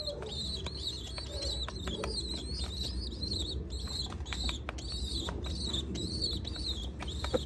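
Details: Pigeon chicks at feeding time, giving rapid, high, thin squeaking calls that repeat steadily throughout, each note short with a slight wavering pitch. A low hum and occasional faint taps run underneath.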